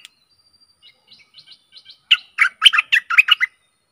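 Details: Stripe-throated bulbul decoy song, played to lure aggressive wild birds. Soft, thin whistled notes rise in sequence, then break into a loud, bubbly burst of rich chattering phrases for over a second.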